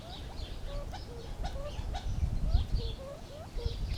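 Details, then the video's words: Gambel's quail uttering a run of brief, slurred whistled notes, several rising sharply and others dipping, roughly three to four per second, over low rumbling background noise. "Funny Sounds of the Gambels Quail"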